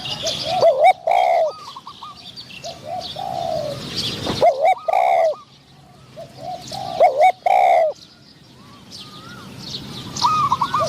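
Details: Spotted doves at a decoy trap, a caged bird luring a wild one with a medium-pitched voice; three bursts of loud close coos answered by fainter rolling coos, small birds twittering in the background.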